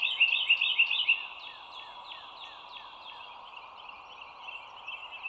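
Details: Bald eagle calling at a nest on an overhead live stream by the Dulles Greenway, morning of 25 March 2022, 07:16: a short fast burst of loud high chatter, then fainter trailing notes and steady background chorus.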